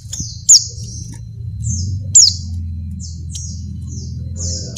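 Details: Calling to a male, a breeding female Oriental white-eye gives loud high notes that slide downward, three in under five seconds, with faint thin high chips scattered between them and a low hum underneath.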